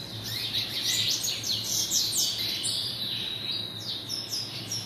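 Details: Double-collared seedeater held in captivity by a domestic breeder, singing fast, high whistled notes that sweep down and up, ending in a sustained thin whistle, with a low background hum.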